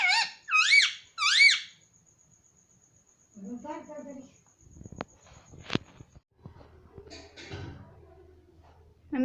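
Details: Pet rose-ringed parakeet chick, a talking green ringneck, gives three quick arched harmonic calls at the start, then a thin steady whine, human voices and handling clicks follow.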